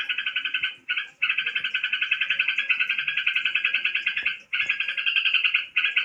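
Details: A tame crokcokan bird delivers long, harsh churring trills made of rapid pulses, running for several seconds with only two short breaks. Nothing else stands out.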